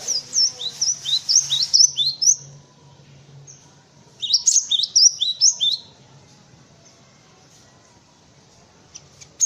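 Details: Song of a cinereous tit, meant for teaching white-eyes and other birds: two runs of quick, high, slurred notes separated by a pause, over a soft low hum. A few faint ticks close the recording.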